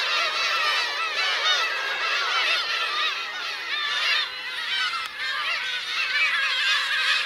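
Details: Parent and chick Black-tailed gulls at Teuri Island, Hokkaido, Japan, in June 2021: layered cat-like mews from numerous birds, a steady noisy chorus with a brief lull near five seconds.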